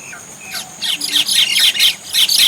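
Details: Common myna in India calling, a run of harsh, squawky and chattering notes, mostly high and noisy, repeated in quick bursts every few tenths of a second, building in loudness toward the end.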